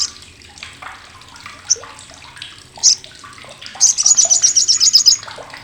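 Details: Olive-backed sunbird (sriganti) with its loud, coarse crecetan chatter used to tutor contest birds: scattered sharp chips, then a rapid high, buzzy volley of about a dozen notes near the end, over splashing water-like noise.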